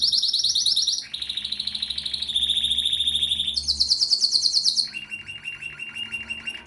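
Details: Canary singing pleasantly: a sequence of fast, even trills, each held about a second before shifting pitch, high rapid rattles giving way to lower buzzy rolls, steady and loud throughout.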